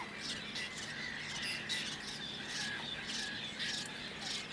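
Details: A whiskered tern in Toledo province, Spain, in June 2022. It utters hoarse, rasping, buzzy calls in short repeated bursts, some louder than others, against a low hum and a wide hiss of outdoor noise.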